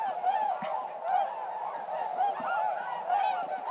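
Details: Hundreds of wintering tundra swans on the water at first light in eastern North Carolina in early December: overlapping mellow, hooting, slightly yelping calls in a continuous chorus, several per second.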